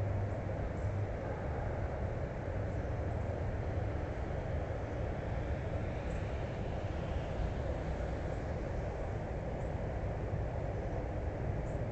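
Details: A steady low rumble like a passing vehicle or train fills the recording, with no animal calls.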